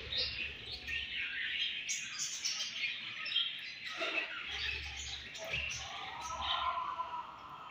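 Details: Pet budgerigars chirping while eating: a dense, continuous chatter of overlapping high twittering notes and short squawks from several birds, with soft low rumbling noise underneath.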